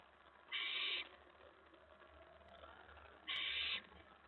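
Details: Owl at its nest at 4:46 AM, May 15, 2017, as a mouse is delivered: two loud, raspy hissing screeches, each roughly half a second long, almost three seconds apart, with quiet background hum between.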